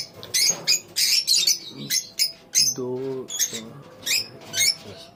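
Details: A lovebird colony, with clear separate high, sharp chirps repeated in quick irregular bursts and short pauses between them, over a faint low background.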